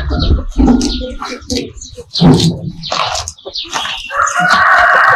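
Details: Farm scene with a buffalo eating grass: scattered rustling, clucking and voice-like sounds, then a rooster's hoarse, drawn-out crow breaks in near the end, cut off mid-call.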